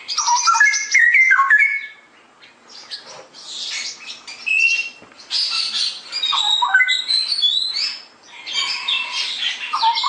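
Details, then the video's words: Straw-headed bulbul, ngeropel style song: an opening run of rich, descending warbled notes, followed by higher, scratchy chattering phrases and further short, bubbling warbles near the end. "Kicau Burung Cucak Rowo Gacor"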